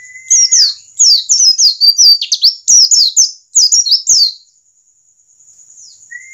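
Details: Singing wild-type white-eye, used as a lure to make birds open up in song: dense, fast bursts of high downslurred twitters, with a brief lower whistle at the start and end and a constant high whine behind.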